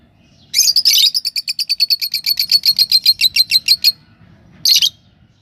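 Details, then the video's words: Rapid rhythmic chirping from a lovebird, about twenty-five short, bright, high notes repeated quickly over three seconds, ending with one louder harsh note. "love birds voice message sounds chirping sound"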